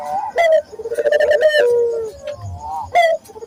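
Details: Barbary dove of local stock cooing to coax other doves into singing: a quick rising note, a long quavering coo sinking at the end, then a new phrase begins.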